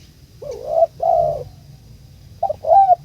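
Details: Spotted dove (tekukur) calling to a companion: two soft low coos, the second drawn out, then after a pause a quick note and another long coo.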